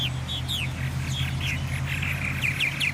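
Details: Purple martins nesting in gourds made for them in a garden, late May 2017, singing from about four in the morning; several birds give overlapping chirps and gurgling, downslurred notes over a loud steady low hum.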